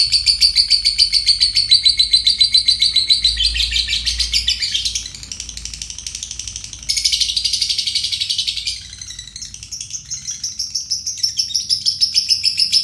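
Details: Fighter lovebird singing the long ngekek konslet used as a master for songbirds such as murai batu: extended high rattling trill of rapid chattering notes, dipping quieter mid-way before surging back loud and continuing to the end.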